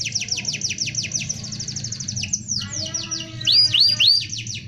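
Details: Dense rolling canary song for tutoring young birds: a run of rapid repeated downslurred notes, a brief pause, then three loud looping whistled upslurs, over a low background hum.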